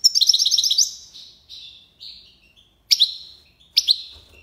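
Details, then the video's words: European goldfinch, Algiers, Algeria, singing tiwawati style: an opening run of about eight quick repeated chirps, then drawn-out tinkling notes and two sharp doubled calls. "chardonneret tiwawati"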